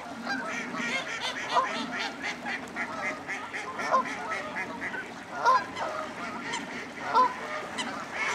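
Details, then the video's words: Roosting-time gathering of common starlings at Slimbridge Wildfowl Trust, Gloucestershire, UK: a steady wash of scratchy clicking chatter from a large flock, broken by several louder honking waterfowl calls. "Slarlings roosting"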